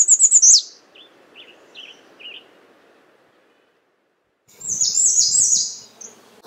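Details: American redstart giving a brief series of high, thin notes ending in a downward slur, then soft isolated chips, a pause, and a louder, denser burst of high buzzy notes after four and a half seconds.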